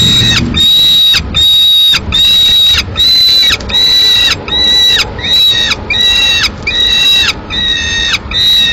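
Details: Single peregrine falcon nestling, Madrid, 22 May 2016, begging for food while the female eats a swift the male delivered: a steady series of roughly eight strained, nasal wails, each ending in a drooping slur, given at regular intervals.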